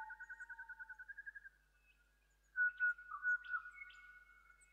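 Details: Pied butcherbird calling from down a gully in the Bungle Bungles at early morning on a four-night walk; a fast run of short repeated piping notes, a pause, then loud clear fluting whistles with higher overtones.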